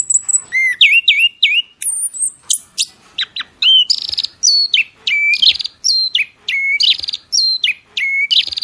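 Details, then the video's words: Songbird heard as masteran tutoring material: clear whistled notes alternating with buzzy downslurred phrases, repeated steadily about twice a second through the passage. "masteran full kicauan"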